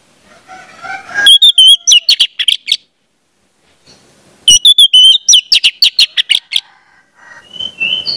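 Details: Training song of the orange-headed thrush for young birds: soft warbling builds into dense, loud bursts of sharp whistled notes, pauses, then a second rapid volley of clipped phrases, ending with a quieter rising whistle.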